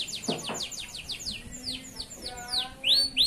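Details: Singing male canary of local stock, tutor song for juvenile canaries: a string of descending whistled slurs, softer lower tones in the middle, and loud rising swept whistles at the close.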